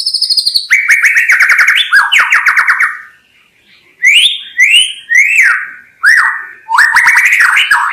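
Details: White-rumped shama song with a high thin opening, a long series of rippling warbled whistles, then several short upslurred whistles repeated about every half second.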